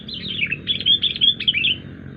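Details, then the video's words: A wild sooty-headed bulbul gives a loud, continuous stream of rapid, bubbly, slurred whistles and chatter for about two seconds, an unusual-sounding call, over faint low noise. "kutilang liar suara Aneh"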